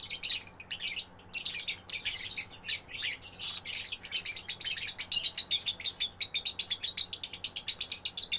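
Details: Young lovebird's gacor song: harsh, high chattering bursts, then a rapid, evenly pulsed series of sharp chirps over the last few seconds.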